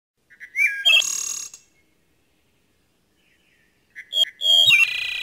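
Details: Wood thrush (Hylocichla mustelina), a threatened species, singing in the Centre-du-Québec region of Quebec during natural habitat surveys. Two flute-like phrases a few seconds apart, each opening with soft low notes and ending in a bright, buzzy trill, with no other sounds.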